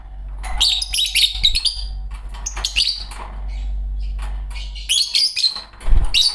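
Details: A pair of green Fischer's lovebirds keep up busy, scratchy high chirps and twittering phrases almost without pause, with a steady low rumble underneath throughout.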